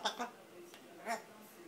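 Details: An African grey parrot in its country home, where it likes to dance, gives two short two-syllable spoken greetings, a word like "bonjour", about a second apart in a quiet room.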